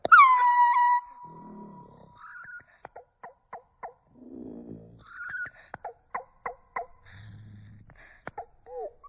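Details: Starling making human-like sounds: a loud, sharp, falling whistle with stacked overtones, then a run of short clicks, brief mid-pitched chirps and low raspy passages, ending in warbled notes.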